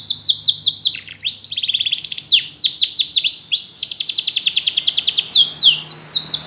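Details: Singing yellow canary, offered to draw other canaries into song: fast high trills alternate with lower rolled passages and arched sweeps, a dense nonstop warbling performance with varied tempo.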